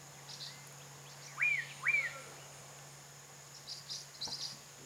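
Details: Wild, free-living Black-fronted nunbird (Monasa nigrifrons) giving two loud, clear notes that rise sharply then slur down, about half a second apart, with faint high chirps from other birds and a steady hum.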